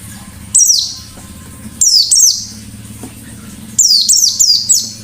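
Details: Caged white-eye singing in a lively, forest-style song, high thin phrases falling in pitch, given in bursts about a second apart with short gaps; low steady hum in the background.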